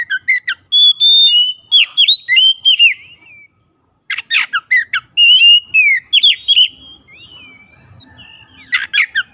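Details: White-rumped shama singing to prompt mute birds: dense loud phrases of rich whistles mixed with harsh chattering notes, a short silence near the middle, then another energetic burst of varied whistles.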